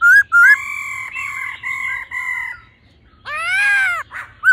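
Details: Laughingthrush song in the 'old forest voice' style with the female calling: two loud twisting whistles, long flat ringing notes, a pause, then a harsh harsh broad rasping cry and a final whistle.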